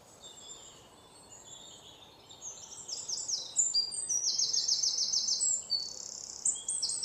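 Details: White-throated fantail delivering high, sweet, jumbled notes and fast ladder-like trills, quiet at first and growing stronger after three seconds, over a low steady hiss.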